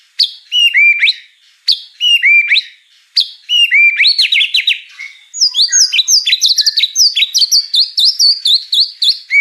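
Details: White-rumped shama singing a song packed with mimicked fill-ins, opening with loud repeated whistled phrases that swoop down, then a rapid run of high chirping notes.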